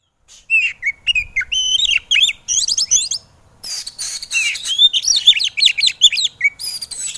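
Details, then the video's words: Shama (kacer) song for coaxing lazy cage birds into singing: continuous busy stream of wavering whistled notes and harsh scratchy bursts, with a short silent gap before rasping, mimic-like phrases return. "MASTAERAN BURUNG KACER EMOSI"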